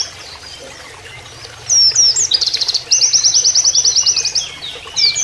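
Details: Canary-style 'nembak' song of an Oriental white-eye, a training master recording: after a quiet start, high twisting whistles lead into a rapid, even trill of sharp repeated notes, with a faint hiss of running water behind.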